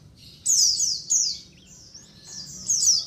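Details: White-eye colony sound played as a lure for wild birds: bright, high descending chirps in quick bursts from several birds, with softer thin twitters between the louder notes and a quiet low background hum.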